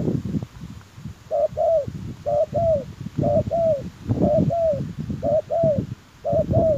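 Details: Spotted dove lure call used to attract wild doves: soft low coos in paired notes, each pair repeated about once a second over steady low rumbling noise.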